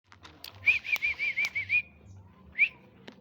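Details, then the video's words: Male greater green leafbird from Sumatra singing in the afternoon: a quick run of about seven bright, clear whistled notes at an even pitch, a short pause, then one rising whistled note. "suara burung cucak ijo di sore hari"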